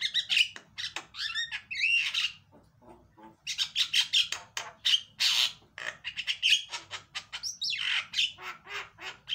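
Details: Loud Javan myna song used to coax a silent bird into singing, a continuous jumble of harsh rasping chatter, clicks and short whistled notes with sliding tones, broken by a brief pause near the middle.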